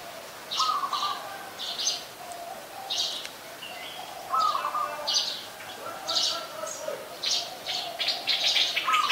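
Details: Ubon Ratchathani, Thailand, 2 January 2021: a streak-eared bulbul, a very common resident there, gives a lively series of sharp high chirps in irregular bursts, mixed with repeated level mid-pitched whistled notes and other bird calls.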